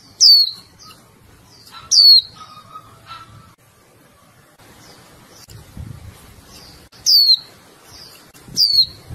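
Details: Female Japanese white-eye calling the male, giving sharp high descending chirps in scattered pairs with gaps between, over faint low background noise and a brief mid-pitched tone.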